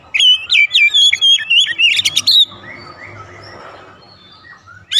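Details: Song of an Oriental magpie-robin used to bait other magpie-robins: a steady series of clear whistled notes and trills for about two and a half seconds, then a quieter stretch with soft background noise.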